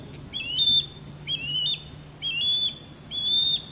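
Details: Osprey courtship calling during a male's sky dance above a backyard, female answering from a longleaf pine; four bright piercing whistles, each rising then levelling, spaced roughly a second apart against a quiet background.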